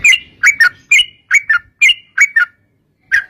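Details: Lure recording of a sooty-headed bulbul singing: clear bubbly whistled phrases of two or three quick notes, repeated about once per second, then a short pause before a final note.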